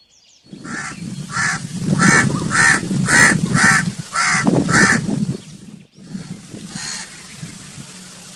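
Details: Crow cawing in a rapid string of about eight harsh, grating calls, nearly two per second, then a pause and one more distant caw, with steady low background rumble throughout.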